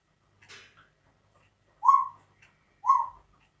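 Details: Captive African grey parrot mimicking a barking dog in a household without dogs: a soft low murmur, then two abrupt gruff barks about one second apart, each brief and hoarse.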